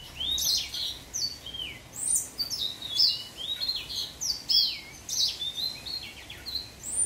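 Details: Young orange house finch singing: a rambling warble of quick chirps, slurred whistles and short buzzy notes in bursts, with a steady background hiss.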